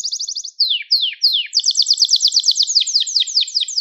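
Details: Stimulating song of a Gloster canary: a quick high trill, three slow downward-sliding whistles, then a long rapid trill shifting into repeated falling sweeps.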